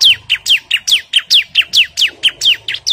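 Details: Agitated bar-winged prinia calling to challenge a rival: bright, high notes that each slide steeply downward, repeated quickly and evenly with no pauses.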